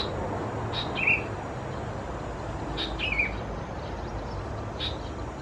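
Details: Young Sooty-headed Bulbuls of subspecies thais at Khao Yoi, Phetchaburi, Thailand, recorded 17–20 June 2020, giving two short, high, downslurred chirps about two seconds apart over a steady low hiss.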